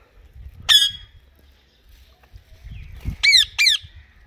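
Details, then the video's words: Indian ringneck parakeets, kiwi green and blue colour forms, giving harsh, buzzy squawks: one single call, then a quick pair about half a second apart, over a quiet low rumble. "Kiwi green Ringneck parrot Natural sound Blue ringsneck parrot chirping voice"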